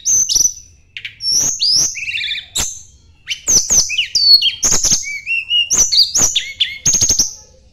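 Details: Sunda blue robin seeking a rival sings a long, busy run of phrases: high whistles, buzzy clicks and wavering falling notes, delivered in quick bursts with brief gaps.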